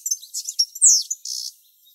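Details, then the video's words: Short burst from a male European goldfinch near the nest where the female incubates, morning in late July: quick high twittering notes, a sharp downslurred note, then a brief buzzy trill. "Pendant que la femelle couve ,le mâle chante à quelques dizaines de mètres ."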